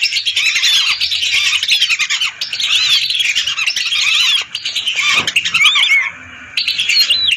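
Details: A flock of hundreds of lesser whistling ducks, recorded as a hunting lure. Clear rising and falling whistled notes stand out above a dense chorus that pauses briefly twice.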